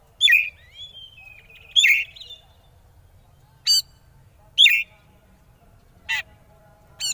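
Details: Oriental magpie-robin in konslet style, a lure to set rival birds singing: grating buzzy notes trailed by thin falling whistles, alternating with short rattling chips every second or so.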